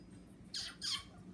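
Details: Pet African Grey parrot blowing a kiss indoors: two short, breathy, hissing smacks in quick succession, about a quarter second apart, in a quiet room.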